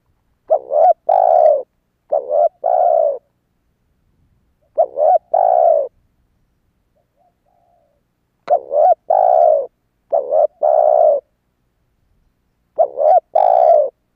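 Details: Spotted dove cooing to draw in wild doves: five two-part phrases in loose pairs, each a brief undulating note followed by a longer soft coo, with quiet gaps between.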